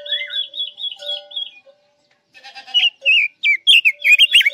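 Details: Chinese hwamei, Guilin form, singing for use as trap bait: gentle warbled whistles, a short pause, then loud, fast, jumping whistled notes in an irregular series, faint low hum.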